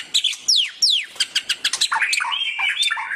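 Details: White-rumped shama giving two strong falling whistled sweeps, then a quick series of sharp clicks and a warbled, whistled phrase, all loud and crisp.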